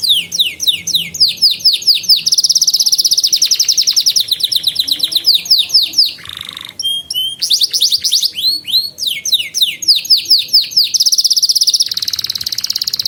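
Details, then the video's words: Canary song used as a training lure for young canaries: loud, fast rolling trills of repeated downward-sweeping notes, shifting into buzzy rattles and sharp whistled phrases, continuous and varied throughout. "Kenari GACOR Masteran Burung Kenari PAUD Belajar Bunyi dan Pancingan Kenari Macet"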